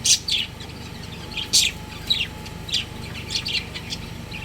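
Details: Budgerigars, a breeding pair kept as pets, chirping in quick, high, scratchy notes, loudest near the start and at one and a half seconds, then softer chatter, over a steady hum.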